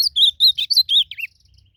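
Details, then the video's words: Blue-black grosbeak in nature, singing in a contest with another bird: a brisk run of bright warbled whistles ending in a short descending flourish, with quiet low rumble beneath. "Azulão disputando canto na natureza"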